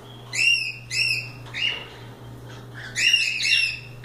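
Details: Free cockatiels at play, giving paired loud harmonic calls that rise then level off, a softer call mid-clip, and another overlapping pair near the end.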